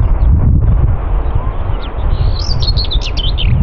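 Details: Common whitethroat (Curruca communis) at Morte Hoe, Devon, UK, gives one brief, scratchy, fast warbling song phrase of high jumbled notes over heavy low rumbling wind noise.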